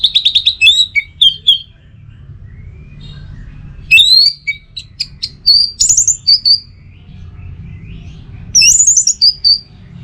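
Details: Orange-headed thrush song for training kept birds: a rapid trill, then scattered high whistles and sweeping chirps, and a final burst of quick notes, with steady low background noise.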